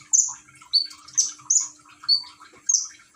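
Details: Common iora, phone-recorded in Gresik, East Java, with water-trickle therapy: a few loud, slightly buzzy high whistles alternating with lower, falling ones, roughly one per half second, over running water.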